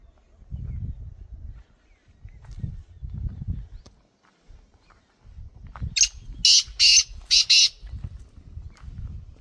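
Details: Black francolin calling outdoors in the wild, giving a burst of four loud, harsh, grating notes in under two seconds, after a stretch of low rumbling and faint murmuring.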